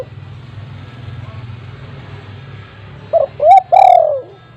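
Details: Spotted dove, a loud and frequent caller used to lure untrained doves. A steady low rumble fills the background before one phrase near the end: a short hoot, then two loud coos, the last long and falling.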